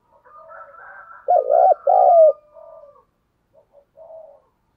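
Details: Spotted dove coos used as a decoy to stimulate birds: soft murmur, two loud hollow coos, then faint trailing notes fading out.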